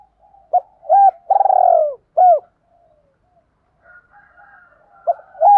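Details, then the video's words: Spotted dove cooing, male and female voices used to spur trained doves to coo. Clipped hoots lead into a drawn-out, pulsing coo that falls away, then another clipped note. After a near-silent pause, a fresh phrase begins. "Tiếng chim cu gáy kích bổi"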